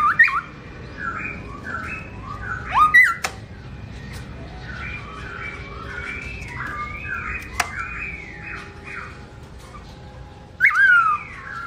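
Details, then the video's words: Chirping, melodious song from a black-throated laughingthrush singing in its owner's absence, 2017: a long string of looping whistled notes broken by sharp, piercing downslurred whistles at the start and the end. "Bird Garrulax chinensis: Birdsong Chirping Melodious When The Owner Is Away"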